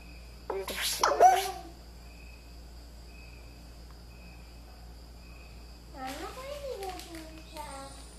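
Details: A 3-year-old male pet eclectus parrot perched on its owner's shoulder gives its robotic sound: two harsh, buzzy, harmonic-rich bursts near the start, a quiet gap, then a longer wavering, grating series of notes near the end.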